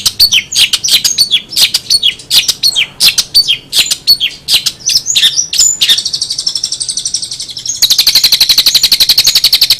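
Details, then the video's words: Long-tailed shrike singing: a loud run of sharp, varied chirps and whistled notes in quick irregular bursts, then a sustained rapid buzzy trill, then a denser, harsher rattling trill to the end. "SUARA KICAUAN CENDET"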